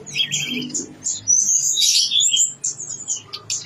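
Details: Tledekan gunung (blue-winged leafbird) in gacor song full of isian: buzzy chattering bursts and high rippling whistled trills, loud and dense, over a faint low hum.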